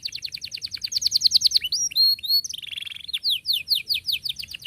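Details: Canary song used to teach young canaries to sing, with tight rolling trills: rapid repeated rising chirps, a brief buzzy held note, then fast descending chirp series, loud and clear against a quiet background.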